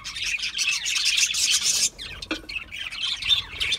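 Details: Budgerigars giving dense, high chirping chatter and squawky warbles, overlapping continuously, with a short lull near the middle before the chirps resume.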